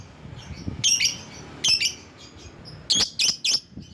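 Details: Lure call of a lovebird meant to attract other lovebirds: two strident chirps, a pause, then a quick run of three high, squeaky shrieks close together.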